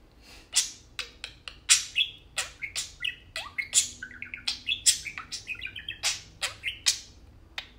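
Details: Two tame pet parakeets playing and talking: a dense, fast warble of high chirps, clicks and short whistled notes, with brief rising and falling tones woven through rapid scratchy bursts, nearly continuous for eight seconds.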